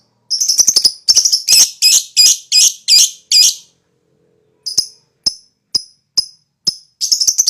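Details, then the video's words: Lovebird recording played to stir other lovebirds into high-energy ngekek chatter. A rapid burst of harsh, high notes, about three per second, runs for three seconds, then spaced thin chips follow before the chatter resumes. "COBA MEMANCING LOVEBIRD!!LoveBird Jenis Apapun Ikut Bunyi,LoveBird Emosi Tinggi,LoveBird Ikut Ngekek"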